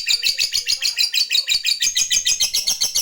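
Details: Ngekek song of a lovebird calling a rival: a rapid, shrill chatter of evenly repeated scratchy notes, about three per second, continuing without pause.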